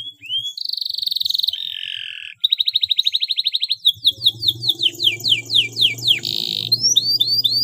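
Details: Canary song in the ngeroll and ngerek style, called clear and clean: rising whistles, rapid buzzy trills, a fast series of repeated pulses, then a string of descending swept notes and more rising chirps over faint low background hum.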